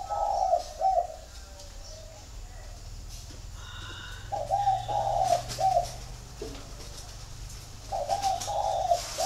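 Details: Spotted doves kept as a flock at a home in Ba Vì, Hanoi, Vietnam, give three repeated throaty cooing phrases of two or three notes each, with a steady low hum and faint chirps between.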